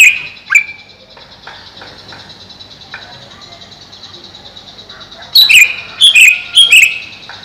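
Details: Greater green leafbird caged over a pond gives a few sharp notes at the start. Near the end comes a rapid run of loud, bright whistled phrases and chips over faint background noise.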